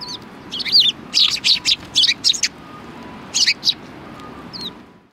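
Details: Sparrows at the back entrance of a Tenmangu shrine, 25 February 2020, greeting an arriving person with a lively run of loud, rapid, high chirps, then a few more after a short gap.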